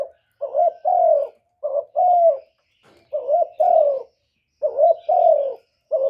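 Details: Spotted dove, recorded as a lure for wild doves, giving repeated husky coo phrases: a clipped note followed by a drawn-out, slightly descending croon, roughly five phrases, one pause near the middle.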